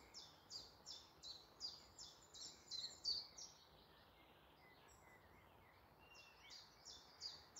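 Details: Woodland birds singing in the morning near Malton, North Yorkshire: a high, rapid series of repeated chirping notes, about three per second, pausing briefly then resuming, over a faint steady background hiss.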